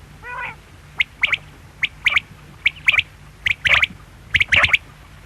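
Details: Quail calling in a repeated three-part phrase: a short sharp note followed by a quick doubled note, high and clipped, about once per second, after a brief nasal harmonic note at the start; faint low hum underneath.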